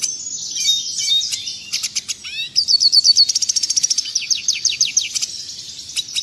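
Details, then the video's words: Red siskin song for teaching caged birds, clean and clear: high jumbled twitter, sharp chips, then a fast regular trill of repeated notes about three per second rising into tightly spaced pulses. "Masteran burung redsiskin suara jernih."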